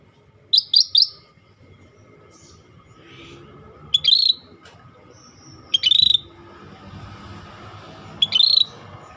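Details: Active singing from a scaly-breasted bulbul. It opens with three rapid sharp high notes, followed by single quick rising-falling whistled phrases roughly every two seconds, over a soft low hum.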